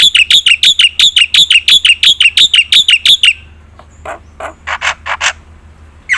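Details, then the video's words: Black-winged myna song used to get lazy birds singing: a rapid, very even trill of about fourteen bright notes over three seconds, then quieter scattered harsh notes and a short buzzy cluster. "suara burung jalak putih gacor full isian"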